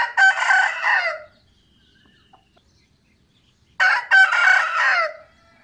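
A rooster gives two loud, harsh crows about four seconds apart, each a rising burst falling into a drawn-out ending, with near silence between.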